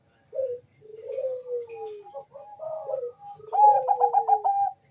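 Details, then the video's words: Zebra dove of the Bangkok type singing melodiously, meant to spur mating and song; soft coo, long falling slurred note, brief notes, then a quick stuttering rattle over another descending note. "perkutut bangkok gacor suara merdu cocok untuk mendongkrak birahi dan bunyi"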